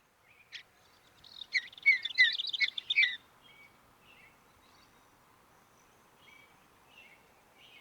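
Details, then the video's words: A Mountain Bluebird gives a single high note, then a quick burst of soft, warbled chirps, trailing off into faint scattered notes over a quiet background. "Mountain Bluebird Bird Sound Video: Thrush Call"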